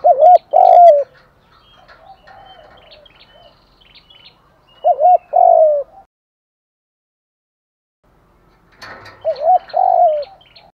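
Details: Cooing of a spotted dove in the morning as a provoking lure: three strong phrases, each double short coo then a long falling note, with faint higher chirps and softer distant coos between.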